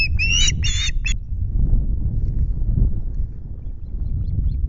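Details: Osprey calling at a Loch Garten nest holding chicks, 5 July, during a two-fish delivery: a brief burst of loud, harsh, ringing calls lasting about a second, then only wind rumble.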